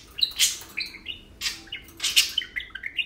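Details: Tame pet parakeets playing and talking indoors; a run of bright chirps and warbled twittering notes in quick bursts, with broad scratchy squawk-like chirps at about half a second and two seconds.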